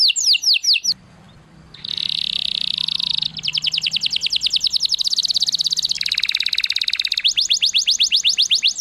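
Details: Canary song used to excite and train canaries to sing: rapid high trills of repeated whistled sweeps, switching abruptly between a dense buzzy roll and faster rattling series, after a short pause near the start.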